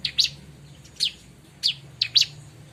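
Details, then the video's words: Bar-winged prinia lure sound: short high, sharp downward-slurred chirps, some doubled, spaced roughly every half second to second, over a quiet low background hum. "suara burung ciblek"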